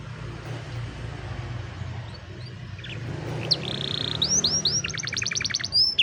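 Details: Canary singing as training material for young canaries, cellphone recording: after a stretch of low background hum, high rising whistles, a steady buzzy note and a fast repeated trill of sharp pulses.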